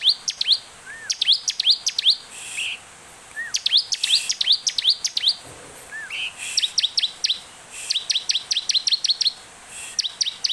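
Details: Olive-backed tailorbird lure song: quick groups of piercing rising notes separated by short gaps, with occasional lower slurred chirps, steady and energetic throughout.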